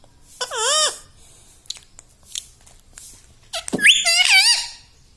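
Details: Green pet ringneck, a rose-ringed parakeet taught to say mummy, papa and radhe radhe, makes one curved, harmonic phrase early, faint sounds in between, then a louder, wavering, speech-like run near the end.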